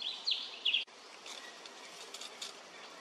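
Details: A male Indochinese blue flycatcher at Khao Yoi arboretum, Phetchaburi, Thailand, recorded 13 May 2023, giving two quick clusters of high, thin twittering notes in the first second, followed by a sharp knock and faint background hiss.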